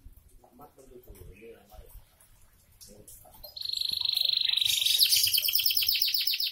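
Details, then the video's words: Faint murmuring voices give way to a canary launching a long, high, even trill that becomes richer and buzzier as it continues. "Kenari bocor rajin"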